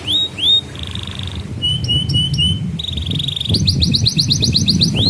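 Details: Canary singing as a lure for young birds learning to sing: rising whistles, a buzzy rattle, clipped double notes, then rapid repeated upward-sweeping trills over low background rumble.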